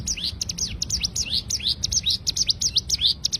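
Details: Cigun bird in rapid 'tembakan' song, a tutor recording for training songbirds: high, steeply descending chirped notes fired in an unbroken fast run, about four per second, over a low background hum.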